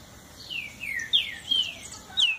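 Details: A green-winged saltator (Saltator similis) sings a phrase of rich, clear whistles that slur downward.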